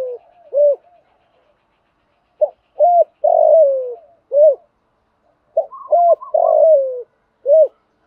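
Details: Spotted dove cooing used to train decoy birds to sing: repeated phrases of short hollow coos, each closing with a longer downward-sliding note, recurring about every three seconds against total silence.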